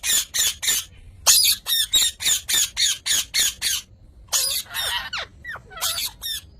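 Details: Parrot giving loud, harsh squawks in a rapid, steady series of about a dozen, then rougher, grating squawks with short twisting squeals.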